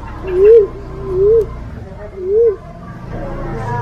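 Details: Black-naped fruit dove lure call: three mellow, rising-then-falling hoots spaced about a second apart, over a steady low background hum.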